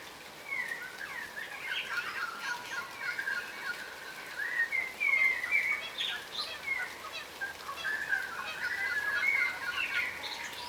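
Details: Feeding on the ground, yellow rosellas, a subspecies of crimson rosella, give steady overlapping piping whistles and chatter, notes rising and dipping roughly twice a second throughout, over a soft outdoor hush.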